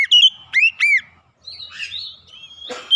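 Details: Clear lure song of an Oriental magpie-robin, used to set silent birds singing: three loud rising-falling whistled notes, a softer wavering passage, then one more strong whistle at the close.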